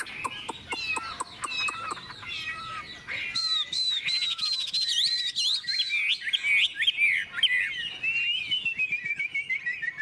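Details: Tame caged Chinese hwamei singing in the morning, hung out in the sun after a feed of fresh food and singing for 20–30 minutes: sharp clicks, then loud, varied, rich whistled phrases rising and falling; Chinese hwamei.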